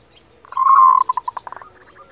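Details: Local zebra dove kerot, meant to excite and raise breeding desire in other doves; a sustained loud coo breaks into a fast descending series of short clipped notes ending in faint trailing coos.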